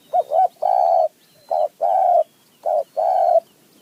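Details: Spotted dove of the high mountain forest, a wild bird answering a decoy. It repeats a pattern of short doubled coo then long drawn coo three times in under four seconds. The notes are low, smooth and hollow, over quiet background.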